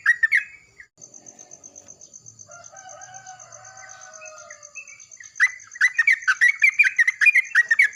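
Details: Yellow-vented bulbuls calling back and forth in the morning: a burst of bubbly chirps, a quieter stretch with drawn-out whistled notes, then a loud rapid series of gurgling notes, with a constant shrill whine behind.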